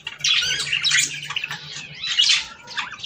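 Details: Budgerigars with breeding-stimulation chatter: squawky, buzzy warbled bursts, with a louder phrase near the start and another after two seconds, plus a faint low steady hum beneath.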